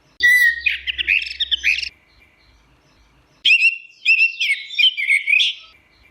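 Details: Orange-headed thrush song: two loud bursts of varied whistles and rapid warbled phrases, mostly high-pitched, separated by a quiet gap of about one and a half seconds, with a faint low hum under the first burst.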